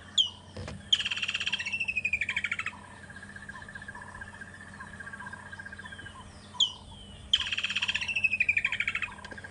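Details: Two full calls of a woodland kingfisher at Djuma and Arathusa during an afternoon safari drive on 26 November 2014. Each begins with a sharp note and runs into a descending trill of rapid pulses, with a quieter pause between the calls.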